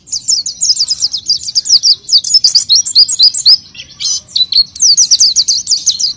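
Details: Oriental white-eye singing, used as a lure: a rapid, continuous run of high, sharp twittering notes, slurred up and down, with a brief break midway.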